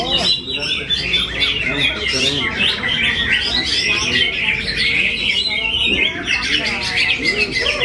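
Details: Greater green leafbird singing continuously: a loud, rich, fast-warbling stream of whistled and chattering phrases without pause, with varied twittering notes layered throughout.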